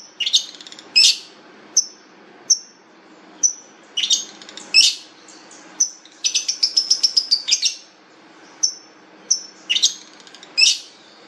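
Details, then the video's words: Long-tailed shrike giving a varied, lively song: sharp high chirps and short whistles broken by harsh, scratchy bursts, with a quick rattled series near the middle and clear gaps between phrases. "cendet jahat suara mewah"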